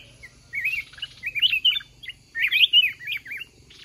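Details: Red-whiskered bulbul in a lure-trap fight with a caged decoy bird; two rich whistled phrases of looping, wavering notes after a short quiet start, with a faint low hum.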